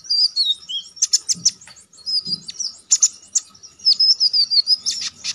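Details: A konin (Olive-backed Sunbird) used for contest training sings descending whistled slurs mixed with sharp chips, then a long, rapid run of high repeated notes in a lively, chattering stream.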